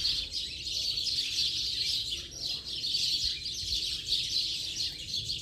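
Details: Dense, unbroken chirping from a house sparrow flock at the end of the day, dozens of bright short notes blending into one shrill wash of sound with steady background noise.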